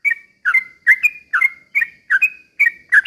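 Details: Sooty-headed bulbul used as a lure song: short two-part phrases, a bubbly drop followed by a sustained clear whistle, about two per second in a clean recording.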